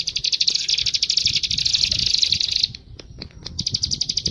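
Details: Bar-winged prinia delivering a fast, buzzy high trill of rapidly repeated notes that breaks off, gives a few scattered chips, then resumes the trill, with low background rumble.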